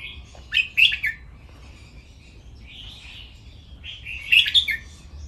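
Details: Caged red-whiskered bulbul in playful 'len rik' training song: two loud, bubbling phrases of chirpy whistles about three and a half seconds apart, with soft warbling between them.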